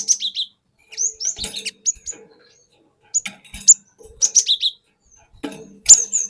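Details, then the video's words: A cinereous tit from the forest sings a provoking lure song, 'wucit wuit'. Clear, high whistled notes with downward slurs come in short clusters of two to four, spaced roughly every second, with light tapping noises between. "Pancingan Burung Glatik Batu Bahan Hutan Auto Ngeplong Wucit Wuit Ngerol Panjang"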